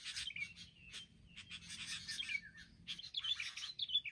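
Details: A group of wild sooty-headed bulbuls mobbing together, giving harsh, scratchy chatter in irregular bursts mixed with brief whistled slurs, the calls overlapping from more than one bird and growing busier toward the end.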